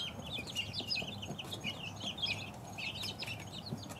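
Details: Two-week-old chicks keep up a continuous, high twittering of short, wavering peeps from many birds at once, above a low rumble.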